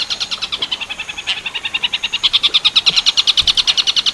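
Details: Long-tailed shrike in Tengkek Buto Werkudoro style, a training master recording: spaced scratchy notes speed up into a loud, fast, steady harsh chatter.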